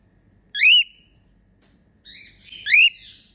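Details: Female cockatiel singing and making happy sounds: two bright rising whistles, each sweeping upward with stacked overtones, the second preceded by a soft buzzy chatter, separated by about two seconds of quiet.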